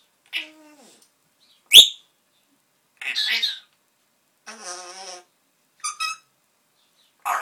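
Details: Indoor pet parrot chatting alone, producing a varied string of sounds: a short nasal call, a sharp click, hoarse word-like bursts, a buzzy trill, and quick high chirps, each separated by silence.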